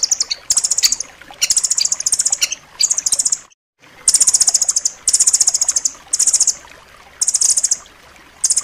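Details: Shrill, rapid trilled phrases from a rambatan loreng nuthatch, recorded to teach caged songbirds. The phrases come in steady succession, broken by a short silent gap midway.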